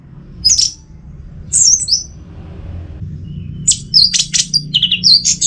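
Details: Caged orange-headed thrush at home in Singaraja, Bali, singing in the 'teler semi doyong' style. Two isolated high chirped phrases come first, then a quick jumble of sharp high notes, all over low background hum.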